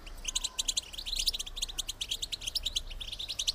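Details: Female European goldfinch calling to encourage males to mate; a continuous, quieter stream of fast, high twittering chips, about three per second, over a hissing background.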